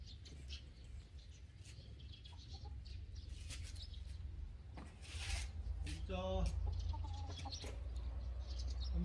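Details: Chickens kept alongside sparrows clucking in a short burst of harmonic, rhythmic notes near the middle, over a steady low hum with scattered high chirps and rustling.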